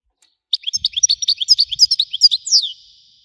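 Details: European goldfinch, wedani song style: a two-second run of quick, alternating high chirps that ends in a loud, descending whistled slur and a fading buzz, with faint low taps beneath.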